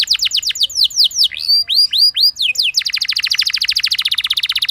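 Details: Singing canary, played to encourage other canaries to join: rapid falling whistles, several drawn-out upward sweeps, then a long, even trill of quick pulses.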